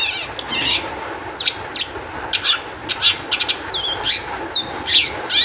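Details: Long-tailed shrike in excited song, used as a lure to make other shrikes sing; a varied mix of harsh chattering bursts and sliding whistles, some rising, some falling, loosely spaced.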